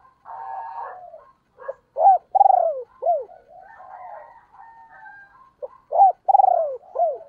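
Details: Decoy female spotted dove cooing to provoke wild birds quickly; twice a brief note leads into a rolling pulsed coo and a clipped descending note, with quiet low warbling filling the gaps.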